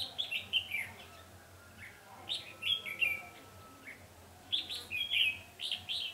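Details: Red-whiskered bulbul singing during trapping, dated 20 November 2015, as a decoy to lure wild birds; short bright warbled phrases in bursts with pauses, a faint steady tone in between, low hum below.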